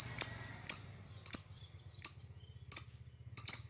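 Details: Lovebird chirping, offered as whistle-training sound: sharp high chirps repeated roughly every half second to second, over a steady low hum in the background.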